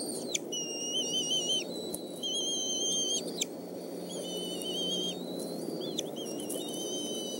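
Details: At the Decorah eagle nest at evening mealtime, 17 May 2014, with fish brought in by the male: a run of piercing whistled notes with stacked overtones, each held about a second and dropping sharply at its end, over a low steady drone.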